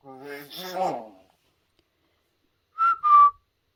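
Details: Pet common hill myna indoors, practising its talking and the River Kwai March, a tune it is learning. A voice-like harmonic phrase of about a second comes first, then silence, then two short, clear whistled notes, the second slightly falling.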